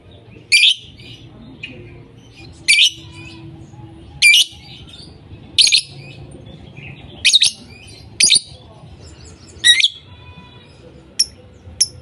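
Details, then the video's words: Lovebirds calling nonstop: loud, harsh, broadband shrieks repeated roughly every one to two seconds, with fainter chatter between them over a low background hum. "Love Birds Sounds ||5 minutes non stop voicing"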